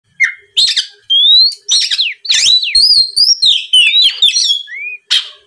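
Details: Oriental magpie-robin song used as a lure to provoke rival magpie-robins into answering: loud varied whistled phrases, rising and falling slurs, sharp buzzy notes and quick chips, with brief gaps between bursts.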